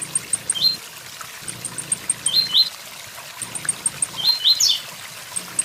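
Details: Blue-black grassquit (tiziu) song: short buzzy rising phrases near the high register, given about every two seconds, with steady waterfall noise and faint high ticking calls in the background.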